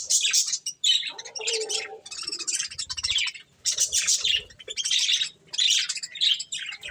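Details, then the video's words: Several pet budgerigars chirping while eating corn: dense bursts of high, scratchy warbling chatter in short runs, with brief pauses and a few lower squeaky notes between bursts. "Cute Budgies Enjoying Eating Corn | Love Birds Chirping Sounds"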